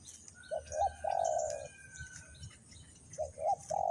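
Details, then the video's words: Decoy spotted dove used to attract wild doves to a trap, Vietnam: two quick coos leading into a long even coo, repeated once after a gap, over a noisy background with thin high bird notes. "The Sound Of dove"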